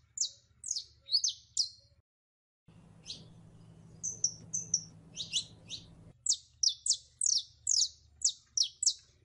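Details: Female canary in heat calling a male to mate: bursts of short, high, sharp chirps in quick runs, a brief pause near two seconds, then steady chirping resumes over a low background hum.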